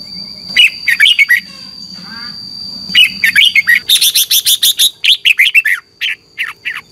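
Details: Red-whiskered bulbul morning competition singing, aimed at stimulating other birds: bright warbled phrases and fast chirp series, with a soft rasping sound in a pause and a steady high tone throughout.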